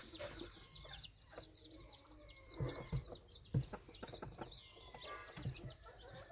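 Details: Several red junglefowl chicks peeping continuously in quick, high, thin chirps that overlap, with occasional low thumps and scratching sounds in the background.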